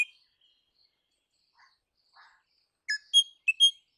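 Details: Crimson rosella (Platycercus elegans) with faint scratchy notes, then a closing run of four clear, high whistled notes in quick succession, rising and falling.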